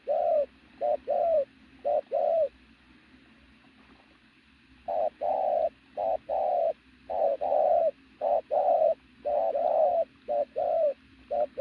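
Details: Pigeon with a powerful physique delivering loud, rhythmic coos. A burst of short notes, a pause of about two seconds, then a long run of alternating short and sustained low coos.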